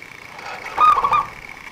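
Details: A single quick, rolling coo phrase from a local zebra dove, whose lively song serves bird trappers as a lure. The phrase lasts under half a second, over a soft steady hum.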